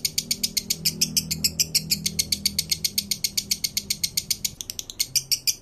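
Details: A breeding-condition male lovebird gives a crisp, ratchet-like rattle of short high chirps, about four a second, used to bring other males into condition. A low hum runs underneath.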